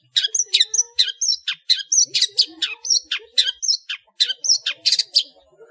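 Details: Long-tailed shrike singing a full 'ngeplong' song packed with varied notes, meant as a master recording for training cage birds: rapid harsh, scratchy chattering notes repeated about four times a second, with faint lower warbles beneath.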